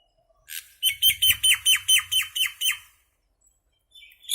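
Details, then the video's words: Little common myna calling with a steady run of about nine harsh, bright chirps in quick succession, each note dropping slightly in pitch, over a faint low rumble, then quiet. "Mynah Bird (Acridotheres tristis), Little Mynah Bird making Noise"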